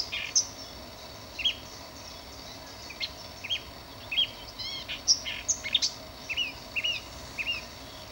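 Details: Marsh warbler (Acrocephalus palustris) song: a quick, varied run of high chirps, slurred whistles and clicks, several notes per second, over a faint steady high hiss.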